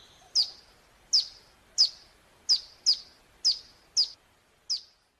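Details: Hill prinia lure to get birds calling back. Single thin, very high chips sound at uneven intervals of about half a second to a second, each dropping quickly and fading.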